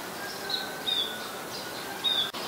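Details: Adult Common Tailorbird, a common resident, recorded at Ubon Ratchathani, Thailand, on 29 February 2020: short, sharp, high chipped notes, three in under three seconds, over a steady low hum and a soft click near the end.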